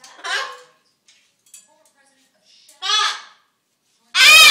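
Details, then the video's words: Attention-seeking, hungry pet macaw indoors. A raspy speech-like utterance, a second louder one after a pause, then a very loud harsh squawk to close. "The Talking and Dancing Macaw"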